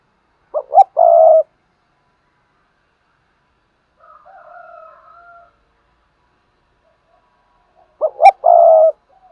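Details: Spotted dove kept as a decoy to provoke other doves to coo. Two deep cooing phrases, each with short notes and a drawn-out final coo, are separated by a long pause with a faint distant coo.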